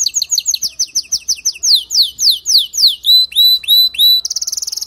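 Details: Male canary song meant to make a female build her nest fast; rapid down-slurred whistles about three per second, slowing into louder sweeping notes, then rising whistles and a fast high buzzy trill.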